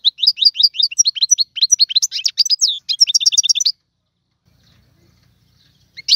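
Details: Goldfinch song in the tiwawati style: nearly four seconds of rapid, bright twittering and chattering notes, then near silence with one brief final chirp.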